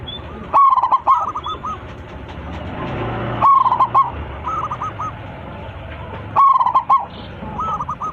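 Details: Loud local zebra dove calling its flock: three strong rolling coo phrases roughly three seconds apart, each followed by softer curled coos, with steady low background noise.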